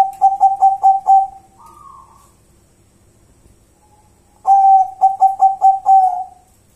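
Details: Local wild zebra dove (perkutut) gives two bursts of rapid staccato cooing, each five or six soft, mid-pitched notes ending in a drawn-out coo, separated by a brief higher whistle and a quiet pause.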